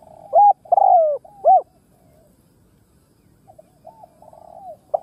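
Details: Ground decoy spotted dove cooing to provoke and lure wild doves: a loud three-part coo phrase, a short note, a drawn-out falling coo and a rounded note, followed by a fainter, softer coo phrase.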